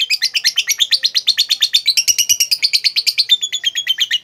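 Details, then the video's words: Lovebird giving a long ngekek, played to stir a quiet, lazy bird into singing: a continuous rapid chatter of shrill, buzzy notes repeated about three times a second throughout, slightly rising then steady. "lovebirdmu loyo malas bunyi jadi gacor ngekek panjang seketika dengan pancingan ini."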